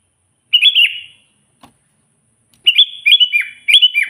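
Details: Energetic sooty-headed bulbul song meant to lure wild rivals: one short liquid warbled phrase, a pause with a faint tap, then a longer run of three bubbly whistled phrases in quick succession.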